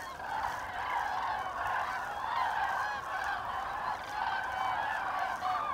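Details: Migrating common cranes over Hesse, Germany, on 25 October 2021, during autumn passage. A flock trumpets in waves, its overlapping rolling calls swelling and fading roughly every second across the whole stretch.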